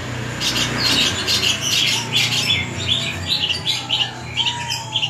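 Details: Long-tailed shrike, a caged bird, giving a varied song of rapid harsh chattering notes in quick irregular bursts, with a thin steady whistle partway through and low background rumble.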